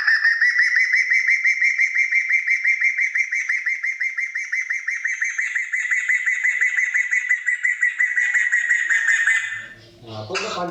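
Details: Kriko Gayo, a rare bird from Central Aceh, in a long, continuous song: a rapid buzzy trill of tightly repeated notes held steadily for about nine seconds, then breaking off into a brief harsh burst.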